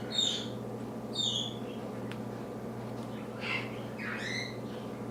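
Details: A pet female Senegal parrot, indoors in a dim living room during her morning wake-up, gives four short, harsh, raspy squawks about a second apart over a steady low indoor hum.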